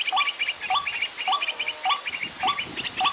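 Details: Trapping lure call of the white-breasted waterhen in the dry season: a regular series of short upswept notes, each followed by a quick stuttering cluster of higher notes, repeating about every half second.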